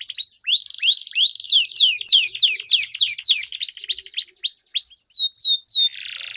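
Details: Canary duel song used for training competition birds: loud curved whistles repeated several times a second in a long roll, ending in a soft hiss.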